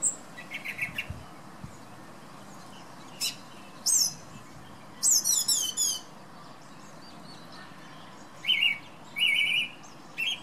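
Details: Male thrush singing in the morning outside a bedroom window on a windy day: varied high, sharp phrases, some rapid trilled notes, separated by short pauses, over a steady wind rush.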